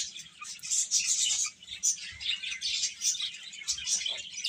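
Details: Many chicks chirping at once, bright high peeps tumbling over one another with frequent louder notes standing out.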